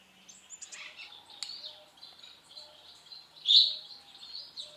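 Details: Pair of white-browed woodswallows in a large open flight aviary, feeding on mealworms: thin, high chirping notes and short buzzy calls scattered throughout, one louder harsh note near the end, otherwise quiet.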